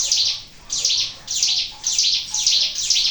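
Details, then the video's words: Lure song of the Sunda warbler (ciblek gunung) as heard in nature: six rapid high-pitched twittering bursts, each a tight cluster of sharp descending notes, evenly spaced roughly every half second. "PANCINGAN CIGUN SUARA ALAM"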